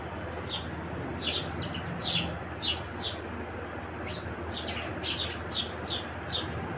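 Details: House sparrow chirping repeatedly, brief bright notes in irregular clusters, denser toward the end, above a low droning hum.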